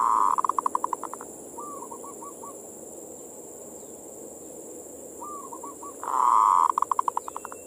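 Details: Perkutut, or zebra dove, in manggung song, used to lure local doves and raise their mating drive. It gives short rolling coo phrases, then a loud burst trailing into rapid, fading pulses, over a constant high-pitched hiss.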